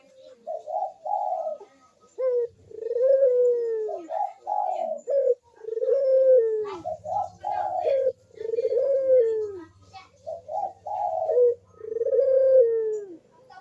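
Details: Barbary dove giving lure coos meant to set reluctant doves cooing: a steady series of low, rolling two-part coos, each a quick burst then a longer falling note, repeated about every two seconds, with a faint low hum partway.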